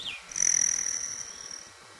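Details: Male broad-tailed hummingbird, whose tail feathers make a cricket-like sound in flight, near sugar water amid fighting: a sustained, high, metallic buzzing trill lasting over a second, then fading.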